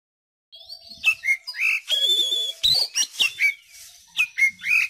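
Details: Oriental magpie-robin song used as a lure to get young birds singing: loud, varied clear whistles, sliding and rising notes with sharp chirps, delivered in quick bursts after a half-second of silence.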